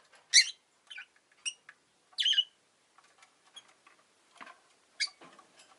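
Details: Pet rosy-faced lovebird giving a few loud, shrill chirps, separated by softer scattered notes and faint low background noise.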